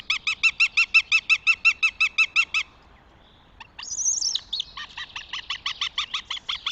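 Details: At a nest in Tartu, Estonia, on 2 June 2025, a Northern Goshawk gives a fast, harsh kek-kek-kek chatter of about five notes a second, then a drawn-out wailing cry before the chattering resumes.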